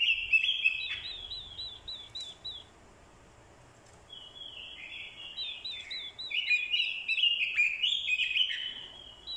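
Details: Orange-headed thrush, a decoy male, singing a fighting song after a female's call: a burst of rich warbling and repeated high upslurs, a short pause, then another long, energetic run of twittering phrases.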